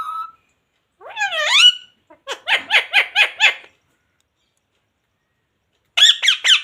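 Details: Talking parrot, said to say phrases like 'jay shree ram' and 'radhe radhe'. One drawn-out, speech-like rising and falling syllable, then six quick squeaky notes, silence, and a closing burst of shrill chattering.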